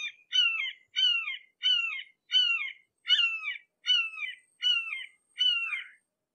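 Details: Red-shouldered hawk approached closely, calling in a long run of about nine even, downslurred screams, roughly one every three-quarters of a second, the final note harsher, with no other sounds.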